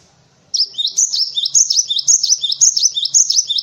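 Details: Cinereous tit singing a fast, continuous series of high squeaky two-note phrases repeated about twice a second, loud and clear, meant as a training song for white-eyes and other birds; faint low hum behind.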